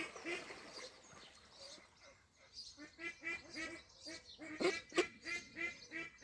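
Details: Ducks at a pond in Wales, 23/5/26: a run of nasal, harmonic quacks, sparse at first, then quick and evenly spaced at about three per second through the second half.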